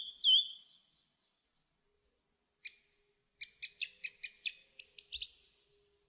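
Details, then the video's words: Song thrush singing: a single bright whistled note, a pause, then a series of sharp clicking notes repeated in quick succession, ending in a high, dense twittering flourish. "Song Thrush Singing"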